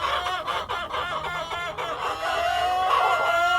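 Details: Cockerel and hens on a farm, clucking calls overlapping in a dense flock chorus, with a drawn-out higher cackle rising near the end.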